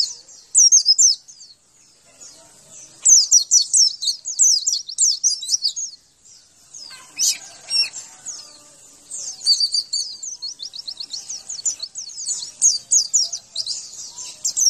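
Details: Javan white-eye training song: several bursts of rapid high twittering and trills separated by pauses, with a soft rustle of movement in the middle.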